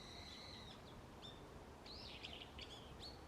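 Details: Wild birds singing in a forest in the early morning in autumn in Japan: a long thin whistle near the start, then short chirps and rising-falling whistled notes, with steady background hiss.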